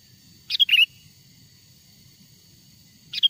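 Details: Lure recording of a wild sooty-headed bulbul's natural song for attracting wild birds: one lively phrase of sharp, rising-and-falling whistled notes, then the start of the next phrase near the end.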